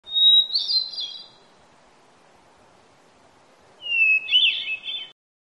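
A hermit thrush sings two flute-like phrases, each opening on a long pure whistle before a shimmering cascade.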